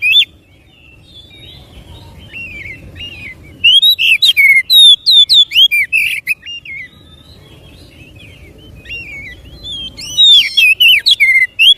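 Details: Oriental magpie-robin singing to prompt other magpie-robins to sing. Rapid sequences of high, looping whistles and clipped chirps come in two loud bursts around a long quiet stretch.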